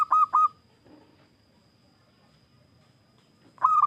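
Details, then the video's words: Local wild zebra dove, a lively calling bird used to lure other doves into calling: two short, bright cooing notes in quick succession, a pause of about three seconds, then another burst, over a faint steady high whine and low background rumble. "Perkutut Lokal GACOR,suara khas idaman para pemikat"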